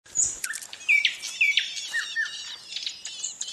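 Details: Ring ouzel chicks in a twig-and-leaf nest, tended by their parents, give thin, high, squeaky begging notes. The notes are rapid and overlapping, about two a second, with a few sharper chirps mixed in.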